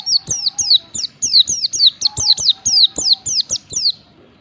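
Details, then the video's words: Lure recording of a Japanese white-eye meant to make birds sing quickly: continuous string of about fourteen bright, high chirps, each sliding steeply downward, delivered evenly over four seconds with faint knocks beneath. "pancingan pleci agar cepat ngalas materi gacor, pancingan burung pleci"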